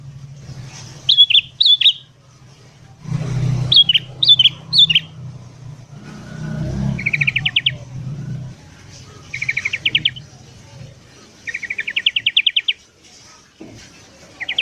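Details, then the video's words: Morning song of sooty-headed bulbul for luring wild birds: clusters of sharp high chirps, then several quick rattling trills repeated every couple of seconds, with a passing vehicle and low rumble. "BURUNG KUTILANG GACOR DI PAGI HARI"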